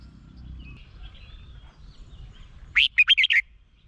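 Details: Red-whiskered bulbul song from Thailand, played to rouse caged birds: after near-silence, one short bright phrase of five quick whistled notes near the end, rising and falling, over faint low background hum.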